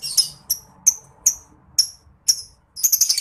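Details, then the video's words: Lovebird ngetik calling for tutoring contest songbirds: sharp, high clipped chirps repeated roughly every half second, ending in a quick run of shrill, stuttering notes. "PANCINGAN MASTERAN NGETIK LOVEBIRD NGEKEK GACOR"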